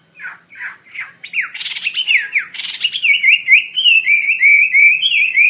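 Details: Chinese hwamei singing loudly: a few soft rough notes, then harsh buzzy bursts, then a fast run of clear whistled swoops repeated about three times a second.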